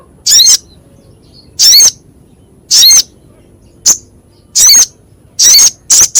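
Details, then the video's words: Crescent-chested babbler in a coarse-voiced masteran for training songbirds: loud harsh rasps, each about a third of a second, repeated roughly every second with irregular spacing. "Masteran Sogok Ontong suara kasar pedas"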